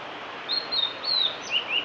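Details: Male blue-and-white flycatcher song recorded 5 May 2018 on the Kanazawa forest road at Lake Miyagase, Japan. Several sweet, high whistles, some sliding downward, end in two lower short notes, with a soft hiss behind.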